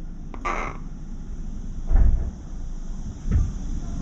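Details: Juvenile crow with raised crown feathers, still red inside its mouth, visiting a balcony feeding spot, gives a single short, harsh, rasping caw, followed by two dull low thumps against a steady background hum.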